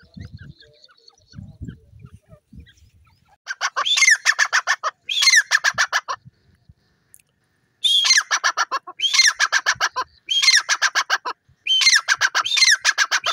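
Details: Francolin (teetar) calling in loud, harsh bursts of rapid, evenly repeated grating notes, each burst lasting about a second with short pauses between, after a quiet start with faint low rumbling.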